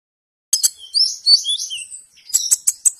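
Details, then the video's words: A hummingbird gives thin, high squeaky twitters and buzzy trills, with sharp clicking chips at the start and end, all very high-pitched. "The best hummingbird sound"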